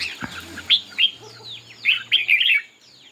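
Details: Red-whiskered bulbul singing in a contest, tail spread: two bright warbled notes, a pause, then a rapid run of rich, bubbling phrases, with a faint steady high tone behind.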